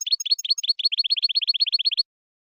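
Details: European goldfinch betbeta twittering, meant to stimulate a caged royal goldfinch to sing: a steady rapid string of bright, identical chirps that stops abruptly into silence.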